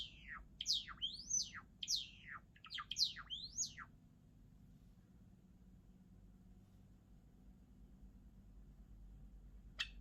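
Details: Java sparrow singing a rapid run of steeply falling whistled notes and clicks for about four seconds, then near silence with one final click.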